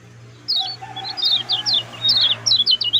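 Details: Lemon-bellied white-eye song in quick short phrases, used for training other birds: spaced high slurred chirps and downward sweeps, with a faint lower twitter in the background and a steady low hum.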